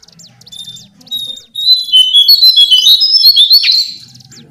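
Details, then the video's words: Lesser shortwing: a few soft high chips, then a loud, rapid cascade of high whistled and trilled notes that tails off. "Master Pancingan Burung cingcoang/jongkangan coklat"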